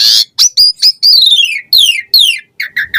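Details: Varied song of an Asian pied starling, played to prompt caged birds into song: short harsh bursts, then long descending whistled slurs in quick succession, ending in three brief nasal notes.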